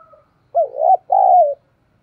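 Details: A single cooing phrase from a decoy spotted dove of the giọng thổ style, kept to stir wild doves into cooing: a brief wavering rise-and-fall note, then a longer, steady coo that slides gently downward.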